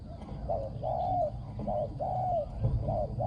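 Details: Decoy spotted dove in ground luring, praised for very good coos: steady run of low hoots alternating short and longer drawn notes, over a dull low background rumble.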